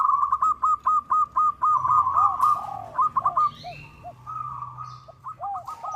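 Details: Zebra dove of the local type calling a rival, used for luring: a steady string of crisp hooked notes at about four per second runs into a slurred trill. Lower drooping notes answer below, with a brief click partway through.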